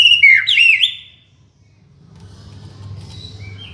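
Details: White-rumped shama song meant as a master recording and lure: a loud burst of rapid looping whistled notes, then near silence with faint distant high whistles and a low rumble.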